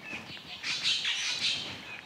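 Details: A male Tooth-billed Bowerbird calling from a perch at his forest-floor display site while waiting for a female: loud, harsh, squawky bursts mixed with brief high chirps over about two seconds, against quiet forest background.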